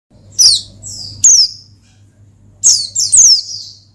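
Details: Oriental white-eye singing in the lively ngalas style, used to call and provoke a rival: two sharp, high descending chirps, a pause, then a cluster of three thin slurred notes, with a faint low hum underneath.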